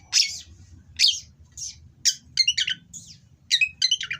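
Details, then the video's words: Mating-condition Oriental magpie-robin singing harsh material to provoke rivals: loud scratchy notes about once a second, then quicker stuttering bursts of high buzzy and whistled syllables. "Burung Kacer Kawin Bongkar Materi Kasar Bikin Lawan Langsung Emosi / Masteran Kacer Gacor"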